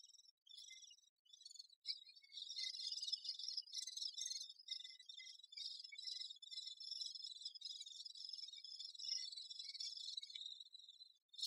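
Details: Great spotted woodpecker busy with its young, heard as a continuous high-pitched, buzzy, rasping chatter that runs almost unbroken for about ten seconds.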